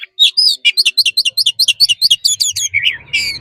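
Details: Oriental magpie-robin giving its forest-style training song: a fast run of about fifteen sharp, clipped chirps, roughly two per second, then a softer warbled ending with faint low hum behind.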